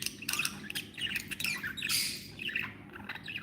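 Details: Happy pet budgerigars chattering indoors: rapid high squawks, clicks and warbled chirps crowd together in quick succession over faint background hum.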